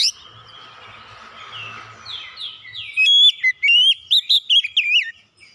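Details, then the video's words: Oriental magpie-robin (kacer) singing as a lure to rouse silent birds. Three seconds of low steady hum give way to a loud burst of varied, rapid, sharply modulated whistles and chips. "KACER MACET BUNYI LANGSUNG NGEPLONG GACOR SEKALI PANCING"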